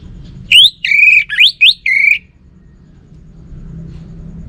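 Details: Caged orange-headed thrush from Singaraja, northern Bali, sings a quick run of five loud whistled notes, some swooping up and down, packed into under two seconds, followed by quiet room hum.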